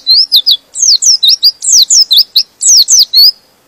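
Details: White-eye (pleci) in vigorous song, a sound meant to agitate other white-eyes and set them singing; a fast, unbroken stream of high, sweet chirps and sharply down-slurred whistled notes, loud and clear with no other sounds.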